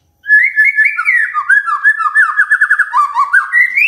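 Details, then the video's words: Magpie-robin song played to coax a quiet bird into singing: a rich, varied run of whistled, slurred phrases with rapid trilled stretches, sung continuously without pause. "Pancingan Murai DIAM Agar Rajin Bunyi"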